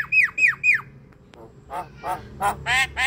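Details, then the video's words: Javan myna singing to stir a lazy bird: three loud down-slurred whistles, a brief pause, then rough, nasal squawking notes. "Buka an ngotot pancingan jalak kebo mager"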